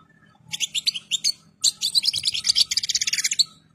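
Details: European goldfinch in breeding condition and full plumage delivering a fast, liquid twittering phrase that starts with spaced chirps and then speeds into a continuous run of rapid high notes.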